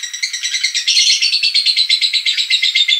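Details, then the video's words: Lovebird in an ngekek calling bout meant to lure lovebirds: continuous harsh rattling chatter, quick pulsed notes strengthening after the first second and holding steady. "Pancing Lovebird Panggil Ngetik Ngekek"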